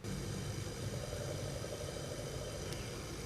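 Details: Low, steady engine-like hum with broadband hiss and a single sharp click near the end, with no animal voice present.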